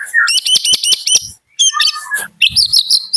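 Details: White-rumped shama from Medan singing in the morning: quick bursts of repeated high chirped notes, then a pause and varied sweeping whistles and rising trills.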